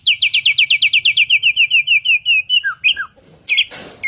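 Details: Samyong, the Asian pied starling, delivers a steady series of about sixteen rapid chirping notes in an even rhythm, then two falling whistles and a harsh rasping burst.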